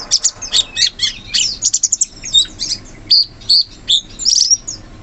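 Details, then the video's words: Wild sooty-headed bulbul in forest, with quick high chirps running into a fast stuttering series, then separate clear whistled notes spaced about half a second apart. "Suara burung cucak cungkok asli hutan"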